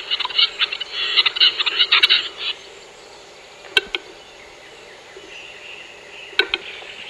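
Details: A Western Capercaillie displaying at a lek in the Großarltal valley gives a burst of dry, scratchy grinding notes. Two sharp, isolated clicks follow a few seconds apart against a soft background hiss.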